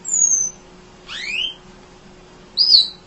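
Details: Munia chirping tirelessly, recorded as a tutor for training other songbirds: a thin, high, falling whistle, then a pair of rising slurred notes, then a short inflected high note, with pauses between them.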